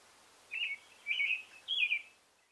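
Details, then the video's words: American robin male in song, three warbling whistled phrases spaced about half a second apart, the last slightly higher and fading out. "American Male Robin Singing"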